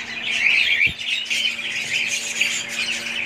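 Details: Caged budgies producing a steady stream of bright, scratchy twittering and chirps, one brief low thump near the start.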